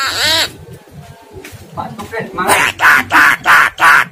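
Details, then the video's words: Lure call for a caged starling that sings too little, meant to rouse its fighter voice: a harsh rising note, mixed chatter, then five evenly spaced loud bursty notes about every third of a second, over low hum. "pancingan jalak kurang rajin dan gacor serta volume krg kenceng"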